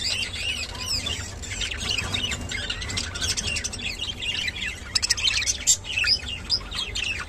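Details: Continuous, dense warbling from a kept rainbow budgerigar: busy, high, squeaky twitters and chirps run without pause, with a few sharper clicks after five seconds.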